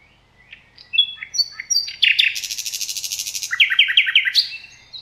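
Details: Thrush nightingale in the Rawka river valley, Poland: short whistled notes build into a dense loud rattling roll, then a series of four or five sharp descending chips, over a faint low hum.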